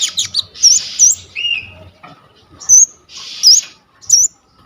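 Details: Coconut lorikeet (konin) vocalising as a training model for songbirds, recorded by phone: several separate grating, buzzy screeches, each about half a second long, with a short looping whistle at the start of most.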